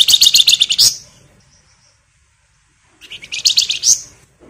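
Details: Crecetan from a flamboyan bird in full, emotive singing form, used as a lure: a dense, scratchy rapid chatter ending in a bright upslur, a pause with a faint thin note, then a second chattering burst.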